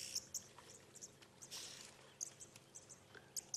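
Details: Red-billed and yellow-billed oxpeckers squabbling together on one buffalo at sunrise, Sabi Sand, 21 May 2016, give short, high, hissing chirps in quick irregular complaining bursts, with one longer rasping hiss among them.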